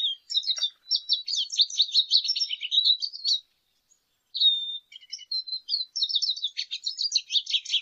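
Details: Lesser goldfinch delivering a dense, jumbled stream of high chattering notes and quick slurs, then a brief silence, then one level whistle and another fast twittering run.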